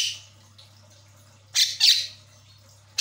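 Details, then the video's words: Asian pied starling (jalak kebo), a caged bird, used as a lure to get a quiet bird singing; harsh broadband squawks in two bursts around the middle, another at the end, with a steady low hum throughout. "JALAK KEBO MACET, DIJAMIN LANGSUNG CEREWET"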